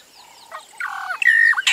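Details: A Burchell's starling in Kruger, in summer, gives a quick series of nasal, gurgling squawks, then a steady clear whistled note and a final harsh, rasping burst.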